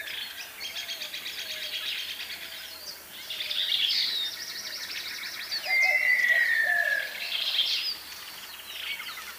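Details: Montezuma quail giving a single long, clear whistle that slides gently downward and lasts over a second, heard over a busy chorus of chirping and trilling songbirds.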